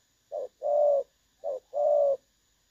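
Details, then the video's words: Decoy spotted dove for bird trapping, noted for a clear, pleasing voice: two phrases of a short soft coo followed by a longer, steady, fuller coo, about one second apart, with a faint high hum. "ĐỒNG SON | Giọng trong nghe hay"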